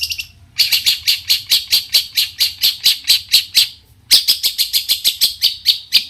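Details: Long-tailed shrike in full song, used to provoke other shrikes into singing back: a run of harsh, buzzy notes repeated about twice a second, pausing once before resuming in the same steady rhythm.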